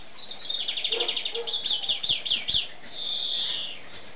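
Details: European greenfinch song: a fast run of about a dozen repeated twittering notes, slurring downward near the end, followed by a long, nasal, wheezy buzz.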